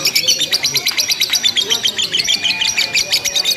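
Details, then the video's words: Lovebird in a simulated singing contest, giving ngekek, long chattering without pause: a rapid, dense stream of high, buzzy repeated notes with a faint low murmur beneath. "LOMBA LOVE BIRD TERBARU 2025 NGEKEK TANPA JEDA DURASI PANJANG"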